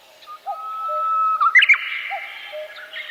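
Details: Birdsong in a forest: a long, steady whistled note that breaks into quick bright warbling twitters, with softer low chirps from other birds around it.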